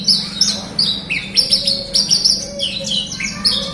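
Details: Horsfield's bush lark song used as a lure to coax a silent captive bird to sing: rapid high chirps and short whistled notes tumbling and sliding downward, steady low hum underneath.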